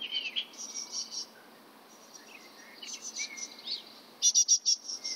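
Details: Great tit (Parus major) calling in Bratislava on 22 May 2013: thin, high chirps and short whistled notes, ending in a quick burst of four or five sharp, evenly spaced high pips. Other faint bird notes are mixed in.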